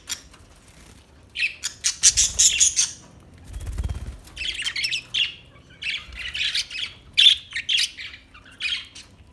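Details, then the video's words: Budgerigar chirping: bursts of dense, buzzy chatter broken by short pauses, with scratchy warbles and squawky notes, and faint low thumps between calls. "Beautiful Budgie Beautiful birds Chirping Sounds"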